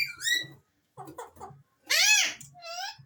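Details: Alexandrine parakeets mix a falling whistle and soft speech-like chatter with a loud arched call that rises and falls, ending in a thinner rising whistle.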